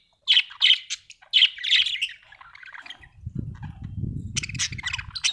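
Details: Happy budgies chirping in rapid, harsh bursts of warbled chirps, followed by a low rumbling rustle under continued high chatter.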